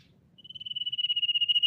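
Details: Common iora giving its lure song: a single steady, high, rapidly pulsed trill that swells in loudness for over a second and is cut off abruptly. A faint low rumble lies underneath.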